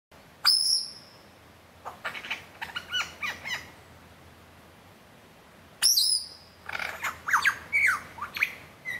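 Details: Superb lyrebird (Menura novaehollandiae) showing off and singing at the bottom of Martin's Lookout, Gembrook Creek: two bursts, each opening with a loud, piercing high note, then varied whistles, chips and rapid chattering phrases of shifting pitch.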